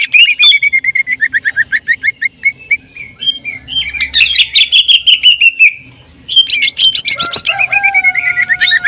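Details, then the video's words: Greater green leafbird singing in a jamtrok style with rapid tembakan bursts likened to a sewing machine: fast machine-gun chattering of high, sharp notes, sweeping and descending phrases, a brief pause, then a renewed burst ending with steady lower whistled tones. "CUCAK IJO JAMTROK TEMBAKAN SUARA MESIN JAHIT"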